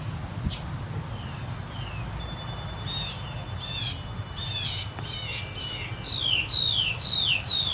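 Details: Northern mockingbird (Mimus polyglottos) singing just before the summer solstice, among the first sounds of summer. Varied high phrases: buzzy bursts and chirps, then a sharp down-slurred whistled note repeated three times near the end, over a steady low background rumble.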